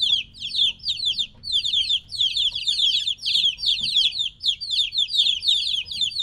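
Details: Little chickens around three weeks old, kept apart from their mother, fill the scene with rapid shrill falling peeps in overlapping runs, loud and continuous.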